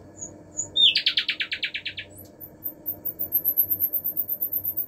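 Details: Song of a common nightingale: a brief high whistle and a chip, then a rapid rattling trill of about ten identical pulses, followed by a very thin, high, sustained pulsing note, over a constant low hum.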